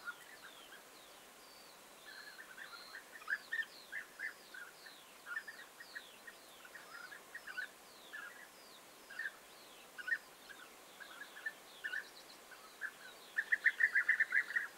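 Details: Several European bee-eaters calling together on 29 May 2021. Dense stream of short purring notes overlapping constantly for fifteen seconds, growing louder and quicker in a burst near the end, with thin high chips scattered above.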